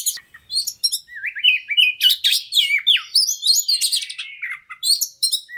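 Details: Fast lure song of a persistent fighter kacer (Oriental magpie-robin), used to make other birds sing their full repertoire: steady, rhythmic bursts of slurred whistles and harsh chips, about three phrases per second, with a clean background.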